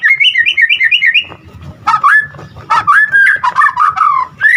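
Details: White-rumped shama song: a quick series of bouncing repeated notes, then a mix of warbles and slurred whistles at middle pitch, part of a full-repertoire lure for other shamas, over faint low noise.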